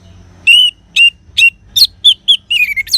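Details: Orange-headed thrush (anis merah) song: separate loud, sharp whistled notes spaced about half a second apart, then a faster jumble of varied whistles at the end.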